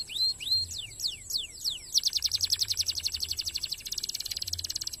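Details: Canary song for training competition birds, in the fast dense Indonesian gacor style: rising whistled notes, then sharply falling sweeps, then a rapid buzzy trill of quick repeated notes, with a steady high electronic tone throughout.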